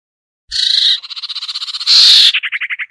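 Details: Lure sound for the sirtu, used to coax down birds reluctant to descend: a rasping buzzy note, then a fast pulsed rattle, a louder harsh burst, and a closing string of quick clipped notes.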